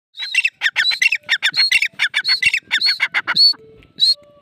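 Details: Grey francolin calling: loud, harsh, squawky notes repeated rapidly in a steady rhythm, each a grating burst, ending with a couple of sharper higher notes and faint tonal sounds.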